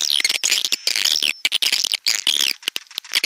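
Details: Swiftlets in a stereo lure track: crowded, shrill, warbling twitters in overlapping bursts, with short silent breaks and scattered clicks near the end.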